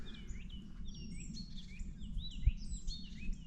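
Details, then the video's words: Common starling imitating another bird on a foggy late-February winter morning: clear, smooth high whistles sliding up and down, exotic, parrot-like, over low wind rumble; speaker suggests it may learn such songs from birds in its southern wintering range. "Now the starling is imitating some bird."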